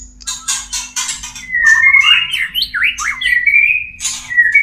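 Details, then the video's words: Caged white-rumped shama mating song used to trigger breeding condition; opens with a series of harsh rasping bursts, then a flowing whistled phrase of zigzagging up-and-down notes ending in steady tones. "SUARA PANCINGAN MURAI KAWIN"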